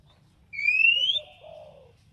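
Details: A single loud, clear upslurred whistle from an Oriental magpie-robin, known locally as kacer, sung to provoke another bird to reply, followed by a soft low trailing warble over faint hum.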